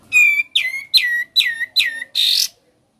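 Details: Rapid ngebren-style song of a sooty-headed bulbul: one whistled note, then four quick buzzy downslurred notes about every 0.4 seconds, ending in a harsh rasp.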